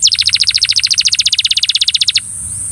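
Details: A Belgian canary, singing to encourage another canary, gives a single even rolling trill of about thirty rapid repeated notes lasting two seconds, then stops abruptly, leaving a thin high background hum.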